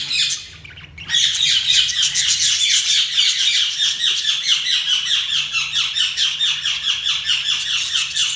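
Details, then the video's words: Budgerigars chirping in a small indoor space: a dense, continuous stream of rapid buzzy chirps and harsh warbling, pulsing several times a second without pause after a brief opening squawk. "Budgies Sounds| Budgies Chirping sound"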